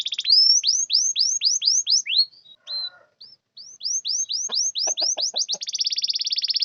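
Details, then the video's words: Canary singing, used as a lure to make quiet or mute canaries answer: series of bright rising-then-falling whistled sweeps, a short pause with soft clicks, more sweeps, ending in a rapid buzzy trill. "Pancingan kenari macet malas bunyi bisu pasti langsung nyaut"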